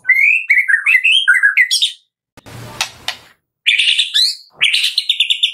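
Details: Kretekan song from a white-rumped shama, played to coax other shamas into song. Jumbled whistled phrases are followed by a soft rasping noise, then bursts of rapid repeated high notes.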